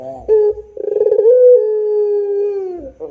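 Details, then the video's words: Single puter pelung phrase: a brief hoot, then a stuttering pulsed roll building into a long smooth low coo held about a second and a half before it bends downward. "SUARA PUTER PELUNG GACOR DOR !!! ISTIMEWA !!!"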